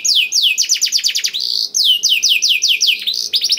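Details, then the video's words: Black-throated canary, song meant to stimulate canaries to sing: a sequence of loud, clear downslurred whistles, repeated quickly and in shifting rhythm, with one short pause midway. "KENARI ISIAN BLACKTHROAT #181 || VOICE OF CANARY"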